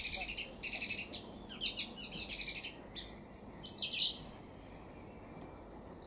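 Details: Song thrush (Turdus philomelos) singing in Cambridge, UK, on 28 May 2021 at 2:53 pm: bright, varied phrases of high whistles and clipped notes, some repeated in quick succession, over a quiet background.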